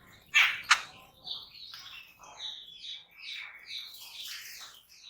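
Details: Jungle babbler calls: two sharp, grating notes open the sequence, followed by a steady run of softer, scratchy chattering that rises and falls.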